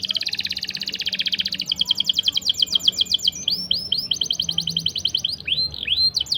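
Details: Long-rolling 'ngerol panjang' canary song meant to train young birds and coax non-singing canaries: a rapid buzzy trill gives way to slower rolled notes and looping upward-and-down whistled slurs, all high-pitched.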